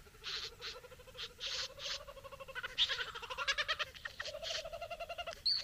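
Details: Courting a female at its bower, a satin bowerbird mixes loud rasping bursts with a sustained low, nasal, harmonic churr broken into rapid pulses, ending in a sharp note.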